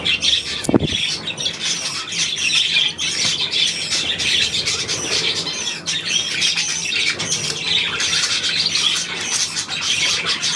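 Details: Budgerigars keep up a busy high-pitched chatter of buzzy chirps and squawks, with one sharp knock near the start.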